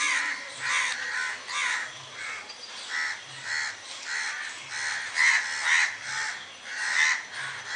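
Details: A flock of crows sitting in a tree while some fly about, calling in a chorus of rough, repeated caws that rise and fall in waves.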